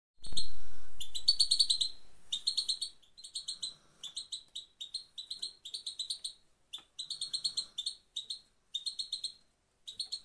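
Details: European goldfinch from Afghanistan, played to motivate male birds: bursts of rapid, bright, repeated chirps with a buzzy, tinkling quality. Short phrases are separated by brief pauses, and a single dull thump sounds at the start.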